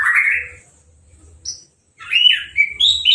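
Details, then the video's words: Caged orange-headed thrush, newly through its moult and bathed by hose spray without a cover, gives a buzzy warbled note, a brief pause, then a quick string of rising and falling whistles with high squeaks. "Anis Merah Sehabis Mabung Mandinya Disemprot Selang , Gak Pakai Kerodong , Bisa Langsung Berbunyi"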